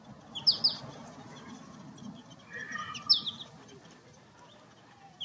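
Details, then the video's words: American goldfinch song from birds in breeding plumage, including a black-capped male: brief, sweet, high twittering notes, some in quick pairs, with a softer warble in between, over a low background rumble. "Chardonneret jaune, chant / American Goldfinch, song"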